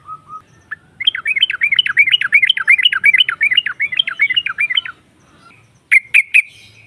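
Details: Provocative ngropel song of a female yellow-vented bulbul: after soft opening notes, a fast, bubbly chatter of rising-falling notes runs for about four seconds, followed by a few sharp chirps.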